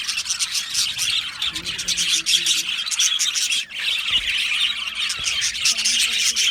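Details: Colony of Australian budgerigars in an aviary chirping together: dense continuous chatter of high squawks, warbles and chirps, many birds overlapping without pause.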